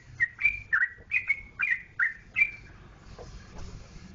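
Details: Sooty-headed bulbul, Jogjakarta, giving a brisk run of six or seven clear whistled notes over two and a half seconds. Each note bends up or down. The song stops, and faint low background rumble follows.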